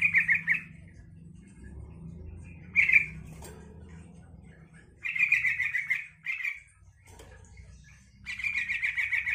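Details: Yellow-vented bulbul singing to draw replies from other bulbuls, in several short bubbling bursts of rapid notes separated by quiet gaps, with a low background hum and a brief click.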